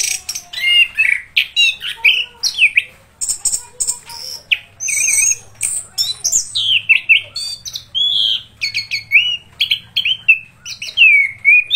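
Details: Orange-headed thrush pouring out its continuous rolling 'ngeroll' song: varied whistled phrases, rising and falling slurs and scratchy high notes following one another quickly, each burst short, with a faint low hum underneath.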